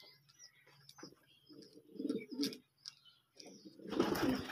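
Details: Tame fancy pouter pigeon, hand-raised, uttering a low, throaty, rolling coo lasting about a second amid scattered high bird chirps, followed by a burst of rustling noise.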